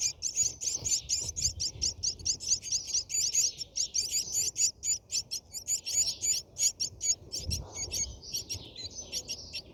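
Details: Brahminy starling nest during feeding: sustained, very high, squeaky chirping repeated rapidly and steadily for the whole stretch, with faint low rustling beneath.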